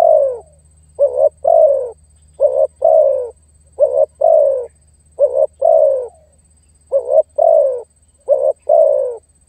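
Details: Spotted dove voice used to attract and pressure a rival. Deep, rounded coos arrive in pairs, short then sustained and gently sinking, repeated roughly every one and a half seconds above a soft low drone.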